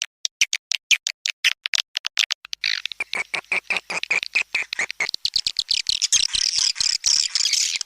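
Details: Swiftlet sound of the style called tarik langgeng: sharp, evenly spaced high clicks that quicken and blur into a dense, buzzy chattering twitter toward the end.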